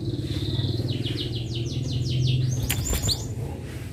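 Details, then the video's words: Canary singing a fast trill of repeated downward-sweeping notes for about two seconds, ending in a sharp note, over a steady low rumble that sounds like nearby traffic. "Kenari mana yg tahan dengar kenari suara kenari ini"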